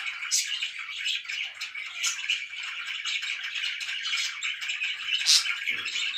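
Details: Budgerigars kept as pets chatter in the morning, a steady run of scratchy chirps and warbled notes with one bright squeak toward the end.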